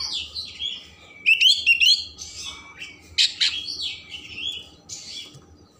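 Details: Oriental magpie-robin in vigorous, richly varied song, used to stir emotion and tail opening: loud whistled and buzzy phrases, quick trills and sharp bursts, with quiet gaps between phrases and a low steady hum underneath.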